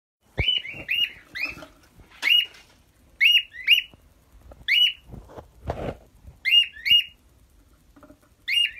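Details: Pet cockatiel tucked into a comfy cubby, guarding it from people: loud harsh chirps and squawks near the upper-middle range, given singly or in quick pairs about every half second to a second, with a few soft rustles between.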